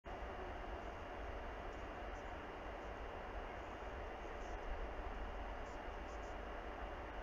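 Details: A steady, even hiss and low rumble continue throughout with no animal calls.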